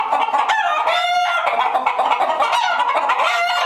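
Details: Alarmed hens in a coop, many birds clucking and squawking at once in a dense, continuous chorus of harsh, overlapping cackles with occasional drawn-out rising and falling squawks.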